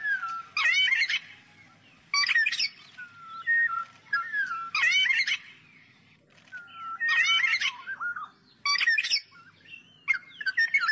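Black-naped oriole giving loud, liquid fluty phrases mixed with harsher notes, a burst roughly every two seconds, with a faint high insect hiss behind.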